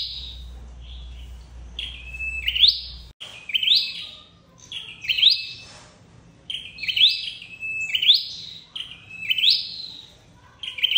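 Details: A red-headed flowerpecker, recorded as a trapping lure, gives thin, high, ticking notes with a short rising sweep, repeated about every second, with a low hum for the first few seconds.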